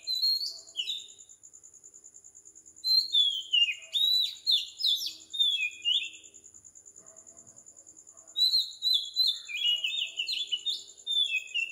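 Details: At 4 am in tropical Sri Lanka, an Oriental magpie-robin repeats clusters of high, falling whistled notes with quiet pauses between them, while a steady rhythmic high background tone continues throughout.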